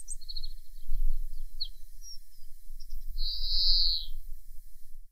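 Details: A European greenfinch (Chloris chloris) sings in spring: a few thin, high twitters, then one drawn-out buzzy wheeze lasting about a second, over a steady low rumble of wind or distant traffic.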